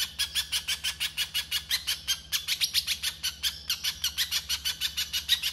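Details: Fast, rasping 'konslet' song of a spiderhunter from a rough tutor recording: a string of sharp high notes at a brisk even rhythm, a few slurred rising notes mid-run, with a low background hum.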